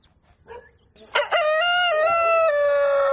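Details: Rooster crowing at dawn: after soft preliminary notes, two sharp onsets lead into a long steady harmonic crow held for about two seconds.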